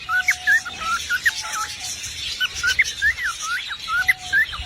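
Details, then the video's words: Singing parrot delivers fast, wavering whistled notes in quick succession, several per second, mixed with a few longer flat whistled tones. "Singer Parrot"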